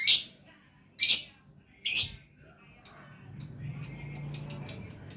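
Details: Lovebird calling with three loud harsh chirps about a second apart, then a quickening series of thin, high squeaky notes in rapid succession.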